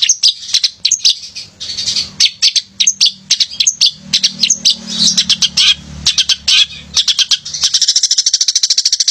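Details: Male long-tailed shrike singing vigorously to trigger lazy shrikes: varied scratchy squeaks and rasps over a faint low hum, closing with a fast buzzy trill.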